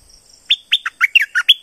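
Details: Southern Thai streak-eared bulbul singing a short burst of about seven rich, gurgling, chirpy notes. The notes drop and rise in pitch in quick succession after a brief quiet start.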